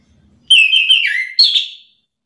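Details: Orange-headed thrush singing in answer to another bird, agitated: a clear whistled phrase that slides downward, then a brighter rising whistle, lasting about one and a half seconds.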